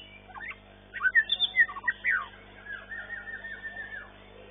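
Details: White-rumped shama in a singing competition, first-place winner in the long-tailed class, giving a quick burst of sharp whistled notes followed by a longer, softer trilled phrase, other birds faint behind.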